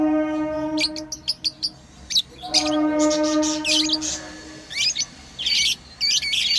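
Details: Pet lovebirds playing make rapid clicky chirps and scratchy high twitters over a sustained multi-tone humming background.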